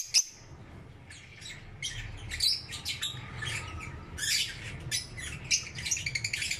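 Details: Lovebirds chirping in the morning: a busy jumble of sharp high squeaks and short squawks from several birds, overlapping irregularly over a low background rumble.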